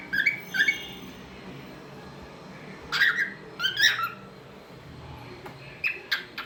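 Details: A talkative pet cockatiel gives clusters of squeaky whistled chirps and short rising notes with quiet gaps between, in a small room.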